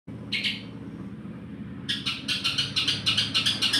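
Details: Long-tailed shrike singing with learned sparrow (gereja) song material: a short chirpy burst, a pause, then a rapid run of sharp, bright chirps repeated several times a second toward the end.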